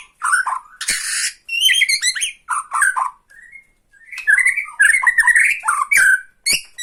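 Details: Bornean white-rumped shama singing tretekan to stir up a rival shama: bursts of harsh rattle and rich whistled phrases come in short packets separated by brief pauses, with quick rising and falling notes.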